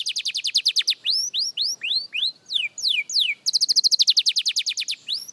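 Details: Beginner young canary at singing practice: opens with a rapid rolling trill, moves into a run of upward-curving whistled slurs, then breaks into a fast, even trill of repeated notes.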